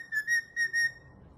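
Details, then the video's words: Green pet Indian ringneck parakeet whistling: four clear, pure whistled notes at a steady pitch, given as two quick pairs with rich overtones, then silence; no other sounds. "Green kiwi talking & whistling"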